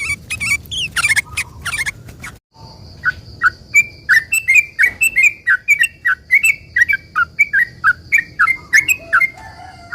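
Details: Sooty-headed bulbul singing as a lure for other bulbuls to answer, opening with scratchy burst notes, a brief gap, then a regular run of clear chirps that drop and lift, two to three each second.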